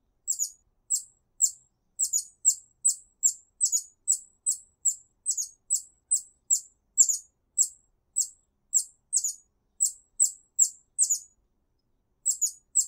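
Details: A hummingbird in a garden gives very high, thin, squeaky chips, about two or three a second in a steady run, with one brief pause near the end, calling other hummingbirds; nothing else is heard.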